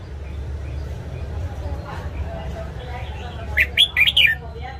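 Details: Caged red-whiskered bulbul, morning training song: after several seconds of murmuring low background, one brisk phrase of four bright, bouncing whistled notes near the end.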